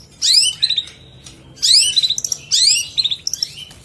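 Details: Long-tailed shrike giving rich tutor-song material: three loud phrases about a second apart, each a bright downslurred squeal followed by a few quick chirping notes.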